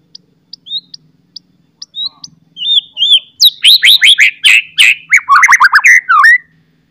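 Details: Loud, sharp-whistled white-rumped shama song with chattering phrases, used to spur other shamas to sing: sparse quiet high ticks, then a dense rapid run of rich, varied whistled and chattered notes building to a loud close.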